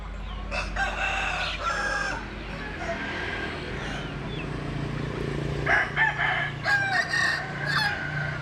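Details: Several roosters crowing at moderate distance, with overlapping crows at the start and again near the end, against steady low-frequency background noise.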